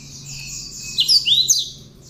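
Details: Tame, hand-reared cinereous tit in lively song, its singing filled with learned bar-winged prinia phrases. Three quick, loud whistled sweeps swing down and up in close succession over a steady high-pitched hiss.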